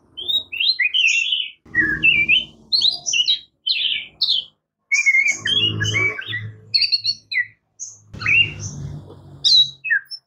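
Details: Oriental magpie-robin (murai kampung, kacer) in long varied song: bursts of sweet whistles, chirps and high tinkling notes separated by short pauses, with intermittent low rumble.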